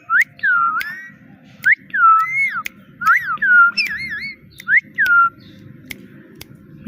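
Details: Pet parrot with a sweet mimicking voice, saying "Mitthu" and "meow": a steady string of high slurred whistles, dipping and rising, with sharp clicks between them and low background rumble.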